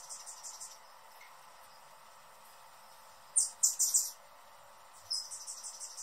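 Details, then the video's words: Hummingbird giving bursts of very high, thin, rapid chips, a quick series of four at the start, a louder cluster mid-way and another run near the end, separated by quiet gaps over a faint steady hum. "Hummingbird sounds in 2021 | Calls and Song"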